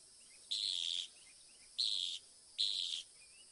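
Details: Northern mockingbird singing: a harsh, buzzy phrase repeated three times at roughly one-second intervals, with faint high chirps between the bursts.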